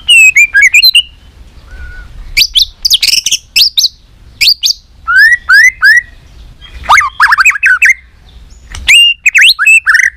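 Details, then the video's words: Competitive fighting song of a white-rumped shama, a rich mix of clear whistles, rapid rising sweeps and dense buzzy chatter, delivered in loud bursts separated by brief pauses. "chòe lửa nết đập xoay chớm lửa hót đấu"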